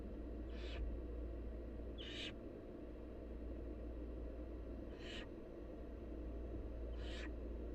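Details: Hungry barn owl nestlings, wild birds being fed by their mother, utter four loud hissing screeches, short and harsh, with uneven pauses of one to three seconds over a persistent deep hum.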